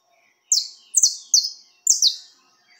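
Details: Peruvian canary in diferenciado song: four loud, very high notes, each a sharp onset sliding downward, delivered about every half second in otherwise clean silence.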